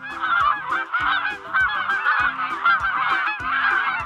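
A flock of Canada geese honking: loud, nasal, overlapping honks tumbling over one another almost without pause.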